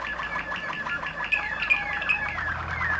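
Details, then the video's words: Waterslager Malinois canary bred in Macedonia, recorded in Kumanovo, giving short bubbling rolls and a few bright whistled notes above a low background hum. "Waterslager, Malinois song"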